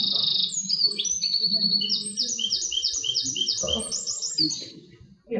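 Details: Eurasian wren (Troglodytes troglodytes) song, a loud, rapid outpouring of high trills and ringing notes lasting about five seconds, played back in a lecture hall with faint room noise.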